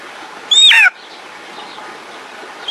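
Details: Golden eagle giving one short, high whistled call that slides downward and breaks into a few harmonic-rich notes, lasting under half a second, over steady faint background hiss.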